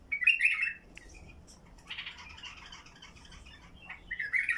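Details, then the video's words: Basra bulbul with a heavy throat voice, singing to open up silent bulbuls: a loud harsh warble, a pause, then a scratchy chattering phrase and a final rich burst. "تغريد بلبل بصراوي حنجره ثكيله لفتح البلابل القافله"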